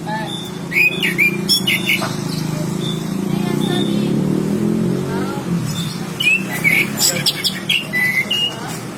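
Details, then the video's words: Chestnut-capped thrush (Geokichla interpres) giving short, bright whistled phrases and chirps in scattered bursts, over a steady low rumble of traffic and murmuring voices. "茴香鸟 geokichla interpres anis kembang jinak चहकते पक्षी"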